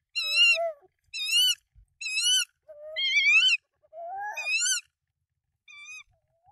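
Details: Close, loud tawny owl calls at a Danish nest with three eggs, 24 March 2024, during a rodent delivery by the male to the female; six wavering calls in quick succession, about one per second, mixed with lower, hoarser notes.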